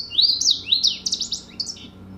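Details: Louisiana Waterthrush, a forest bird of West Virginia, singing: clear, high, slurred whistles that drop in pitch, followed by a quicker descending jumble of twittering notes, with a faint room hum behind.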